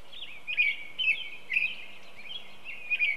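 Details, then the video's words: American Robin singing its "cheer up, cheerio" song, short clear rising-and-falling phrases about one every half second, on a Saturday morning at Broad Meadow Brook, Massachusetts, over a steady hum of lawnmowers. "So there's a robin I can hear right now with its cheer up, cheerio, cheerio."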